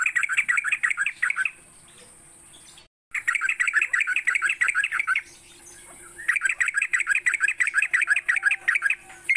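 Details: Morning lure song of sooty-headed bulbul, used to train and prompt kept birds to sing all day. Long runs of fast chattering, bubbly notes repeated quickly, broken by short quiet gaps, over a faint constant high hiss.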